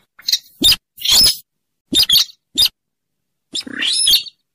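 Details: Trapping-lure recording of a rail, locally called weris or mandar dengkur, a bird of swamps near rivers and lakes: clusters of sharp, scratchy chips and a longer rasping burst, ending in a rising squealing screech.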